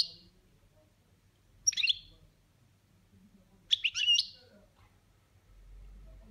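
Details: Pet goldfinch in a cage singing a 'boniments' variation: short clipped notes, then two separate bursts of rapid liquid twittering, each under a second and spaced about two seconds apart, with a faint low rumble near the end.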